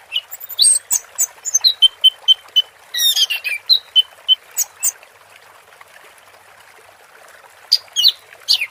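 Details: Orange-headed thrush (anis merah) singing in the 'teler' style, recorded with water therapy: bursts of high, quick whistled and slurred notes for five seconds, a pause, then a short final flurry over a soft hiss.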